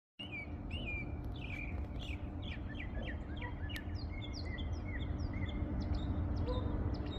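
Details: Bird singing in the morning: a steady run of short, bright, upslurred chirps over a constant low rumble of background noise.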